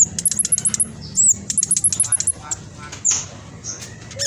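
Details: Spotted black sunbird singing rapidly to encourage reluctant birds to sing: strings of evenly repeated, very high, sharp notes given in quick series, then a slurred squeak and sparser high chips.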